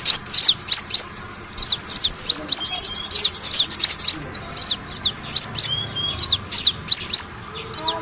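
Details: Sunbird known as kolibri wulung, heard on a lure recording for attracting birds: dense, fast high chirps with a short trill in the middle, thinning later into separate sharp notes.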